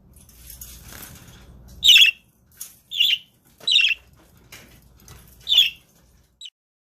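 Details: Wing fluttering and rustling open the sequence, then a pet male budgerigar guarding the eggs gives five harsh chirruping squawks at uneven intervals, ending with a faint short chip.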